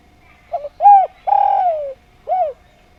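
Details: Single clear song phrase of a Javanese spotted dove: low soft opening notes, a full coo, a long coo falling away in pitch, then one short rounded coo to finish, with quiet background.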